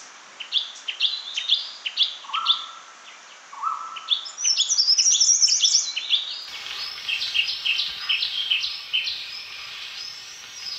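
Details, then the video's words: Chestnut-fronted Shrike-babbler singing: quick high chirped notes and short whistled phrases, with a lower flat whistle repeated twice near the middle, followed by a denser burst of high twittering. "Tiếng chim Khướu Shrike, Khướu mỏ quặp cánh vàng, นก เสือ แมลง หน้า สี ตาล"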